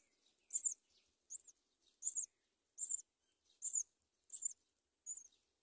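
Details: Myna chicks in a palm-tree nest as the mother brings locusts; a run of seven high, scratchy squeaks, each short and buzzy, spaced about three quarters of a second apart.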